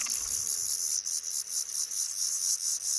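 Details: Black redstart family at a nest in a roof nook above a front door, five chicks hatching; a continuous, pulsing high hiss of massed calls, throbbing about twice per second.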